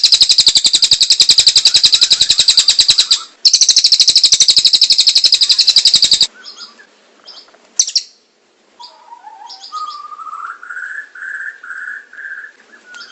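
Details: Kingfisher in a long training recording for other birds: about six seconds of loud, fast repeated harsh notes with one short break, followed by a quieter stretch of chirps and a lower warbling whistle.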